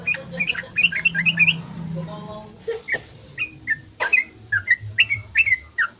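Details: Sooty-headed bulbul in long 'ropel' dawn song, used as a lure to make other bulbuls answer: short bright chirped notes in quick clusters, a pause, then scattered rising whistles, with a faint low hum beneath.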